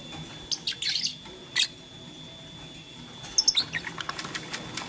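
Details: Lovebirds of blue, lutino and green colouring, playing with a flower, utter scattered high, scratchy chirps: a short burst early, a single sharp note near the middle, then a tight cluster of squeaky tweets.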